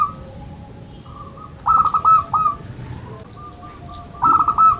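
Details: A local zebra dove whose calls serve to stimulate reluctant singers: brisk rattling coo phrases, one near the middle and another at the end, with weaker single coos from other birds between them.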